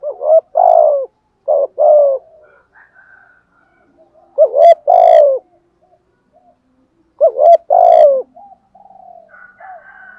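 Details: Spotted dove giving patterned calling coos in the thúc gù and gáy gọi styles for wild-caught birds. Mellow low coo phrases come in three bursts, with a sharp click and faint higher chirps from other birds between them.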